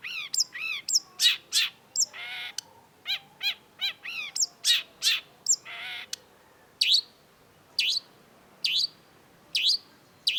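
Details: Long-tailed shrike (cendet) song, lively, recorded to train other songbirds: a dense stretch of harsh, buzzy chattering notes, then slower single upward-flicked high chirps about once a second.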